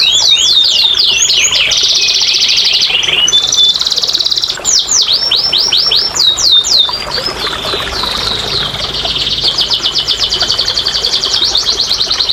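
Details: Domestic canary singing, played to coax silent canaries into song: fast falling whistles, a dense rolling trill, sharp swooping notes and a long rapid high trill, all bright and continuous.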